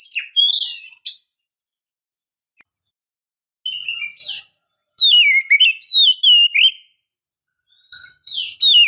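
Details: Female oriental magpie-robin, used to lure and stimulate males to sing, gives clear, sweeping whistled phrases with rapid up-and-down slurs in short bursts separated by brief pauses.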